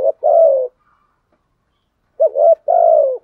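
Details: Spotted dove used as a lure, giving a long burry falling coo, then after a pause a short rising note and another extended descending coo.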